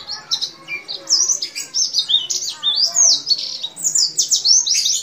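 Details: A white-eye, possibly a Bali or Banyuwangi type, sings a long fast unbroken stream of high, thin twitters and sweet trills slurring up and down, used as a master song for other white-eyes, with faint voices underneath.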